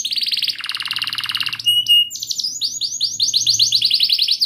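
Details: Canary song played to prompt a silent canary into singing: a fast rattling trill shifting lower, a brief pure whistle, then a long series of quick descending chirps.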